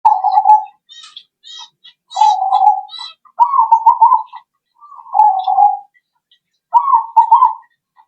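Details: Zebra dove cooing, played as a lure to make other birds answer: five rolling, stuttered coo phrases, each a quick run of notes ending in a drawn-out coo, with short silent gaps between them.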